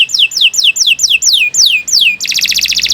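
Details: Vigorous canary song: about seven ringing whistles, each dropping steeply in pitch, delivered in quick succession and followed by a dense, fast buzzing trill.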